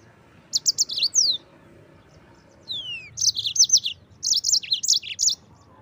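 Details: Yellow-fronted canary, sung in 'gacor ngerol' fashion to train white-eye birds: a short quick warble, a gap broken by one long falling whistle, then a longer run of high, bouncing twittered notes.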